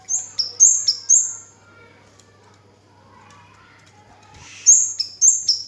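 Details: Kemade or cigen, the orange-headed thrush, singing continuously. High, piercing whistles drop in pitch and come in rapid groups of three, separated by a quiet gap of a few seconds.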